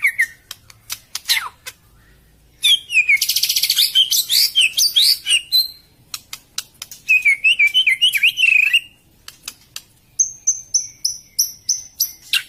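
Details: Lure song of a white-rumped shama for a bird that will not sing after moulting: sharp clicks, a dense buzzy trill, wavering whistled phrases, then a series of high repeated notes.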